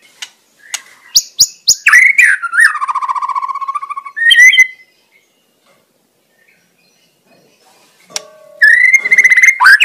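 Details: White-rumped shama in the wild, singing energetically: scattered sharp ticks, a fast rattling trill of repeated notes, a pause of near silence, then a renewed burst of loud varied whistles.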